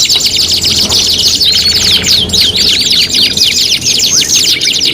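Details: Canary song as competition tutoring material: a nonstop wall of high, fast trills and scratchy zigzag notes, with multiple overlapping singers and a faint low background hum.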